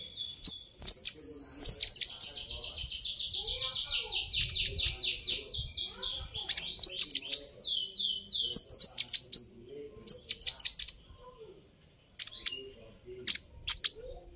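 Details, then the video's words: High, rapid trill from a sunbird known locally as kolibri ninja, used to provoke other birds into answering; a long buzzy rattling phrase gives way to scattered sharp chirps, and a short silence comes near the end. "suara ini bisa bikin Kolibri ninja naik pitam"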